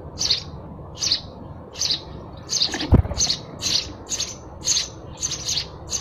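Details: Sparrow chirping: bright, buzzy chirps repeated roughly every half second, about eleven in a row, with a faint low hum and a single dull thump midway.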